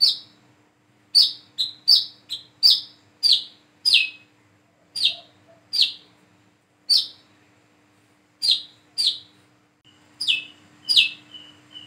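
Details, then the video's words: Plain-throated sunbird, a single bird learning to sing and practising its calls; sharp high chirps descending slightly, given singly or in quick pairs about every half second to second, with short pauses and a faint steady hum behind. "PANCINGAN SUARA BURUNG WICEH KOLIBRI KELAPA BIAR BISA WICEH WICEH"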